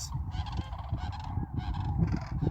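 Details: A wintering flock of sandhill cranes at a crane preserve on Staten Island, Sacramento-San Joaquin Delta, California, gives overlapping rolling, trumpeting calls in short bursts, with heavy low wind rumble and a person speaking nearby.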